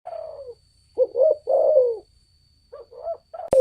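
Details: Spotted dove calling as a lure sound to provoke other birds; low rolling coos in short phrases, a hoarse first note then longer falling coos, repeated with brief pauses.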